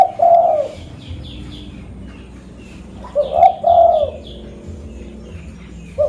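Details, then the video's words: Lure call of a local zebra dove, Reului, Aceh, Indonesia: a trilled coo phrase, then a pause, then a rolling double coo. Soft high twittering from other small birds runs in the background. "Burung Perkutut Lokal Pemikat Suara"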